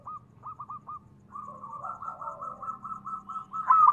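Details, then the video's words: Local zebra dove, a lure for coaxing quiet doves to sing: a few separate soft coos, then a long, even, rapid string of cooing notes ending in a sudden louder rolling flourish. "perkutut lokal gacor SUARA TEMBUS 100%pancingan perkutut cepat Nyaut"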